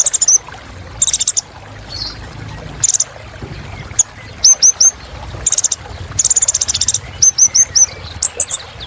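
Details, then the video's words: Sunbird known locally as kolibri ninja, used as filler song to spur caged birds: scattered bursts of high buzzy chips alternating with short sets of thin falling whistles. "Suara Kolibri Ninja Isian Mewah Bikin Burung Semangat"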